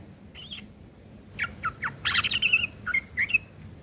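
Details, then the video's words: Sooty-headed bulbul uttering rough chatter for tutoring long-tailed shrikes; one buzzy note, a gap, then scratchy downward slurs and a burst of harsh notes fading into short ringing whistles. "trucuk ngeriwik kasar isian burung CENDET"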